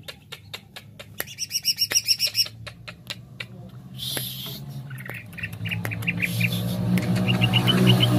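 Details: Greater green leafbird in jamtrok style: spaced clicks, then a loud rapid volley of bright repeated high notes, followed by rushing noise and scattered chirps as a low hum rises.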